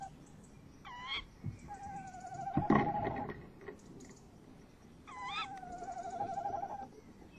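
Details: Male and female tawny owl near a nest box at night, 30 May 2015, many owl sounds on the box; two stacked up-swept squeals each followed by a long wavering trill, with a loud knock or thump midway.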